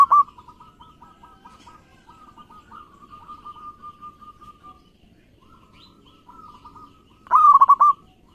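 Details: Local zebra dove in lively song, used as a lure for other doves: faint low cooing trills near the start, then one loud rolling, stuttered coo phrase near the end.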